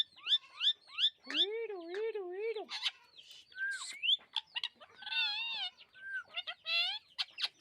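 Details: Rose-ringed parakeet, a green parrot, chirping: a varied run of harsh, squawky calls and rising-falling warbled notes, with short bursts and quick clicks, close and clear against a quiet background.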